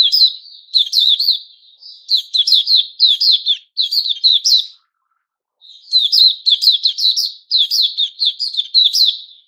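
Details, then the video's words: Song of a white-crowned shama (Puteh Raja) growing new plumage: two long, loud sequences of rapid, crisp, rollicking notes and whistles, broken by a clear pause of about a second in the middle. "Puteh Raja season new feathers"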